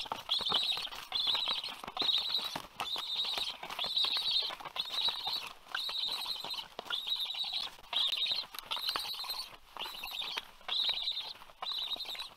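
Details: Last remaining black stork chick begging in Karula, Estonia, 27 August 2022, after twenty minutes of crying, before its parent arrives to feed it. Steady rhythm of rasping, hissy calls, each under half a second, about seventy a minute.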